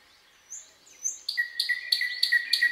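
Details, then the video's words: Night song of a common nightingale in woodland: soft, thin whistled slurs lead into a strong, rhythmic string of repeated notes delivered roughly four times per second. "Incredible Nightingale Singing in the Night Forest"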